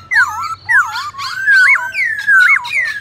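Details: Black-throated laughingthrush in competition song meant to rouse rivals: loud whistled phrases about once per second, each sweeping down or up and looping, strong and bright.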